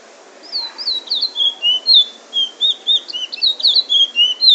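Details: Bullfinch in Trinidad singing a quick run of sweet, slurred, high bright whistles, about four notes a second, mixing drawn-out drawls with sharper rising wheets.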